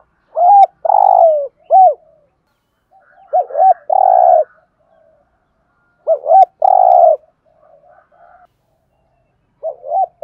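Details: Spotted dove giving a Thổ-style (giọng Thổ) urgent cooing, used as a decoy call for trapping: three bursts of low, rounded coos, each a pair of short hooked notes then a long throbbing coo and a final note, separated by pauses.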